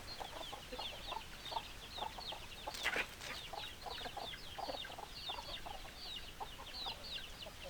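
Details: Hens clucking in a mixed flock with roosters, a steady stream of short high falling chirps and low clucks, with one brief louder burst near the middle and constant background hiss.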